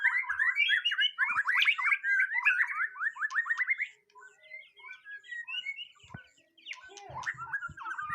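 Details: White-rumped shama's first mental test: fast, dense strings of repeated clipped notes for about four seconds, then quieter scattered twitters and a few clicks.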